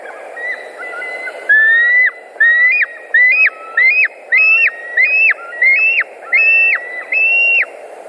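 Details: White-tailed eagles on their nest in Latvia, 10 August 2019, mid-afternoon: about ten ringing whistled notes in an uneven run, each climbing and then falling off steeply, after quieter thin calls.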